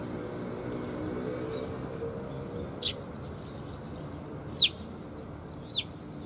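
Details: Flock of sparrows coming for food at a Tenmangu shrine on 30 October 2021; after a quiet stretch, one bright chirp, then a quick double chirp and a softer pair, over low rumbling background noise.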